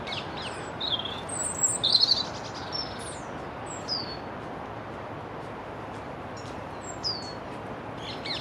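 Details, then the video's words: A European robin singing beside the Long Water gives thin, high phrases of sliding and falling whistles with short pauses, over a steady hiss of background noise; European robin. "Robin singing"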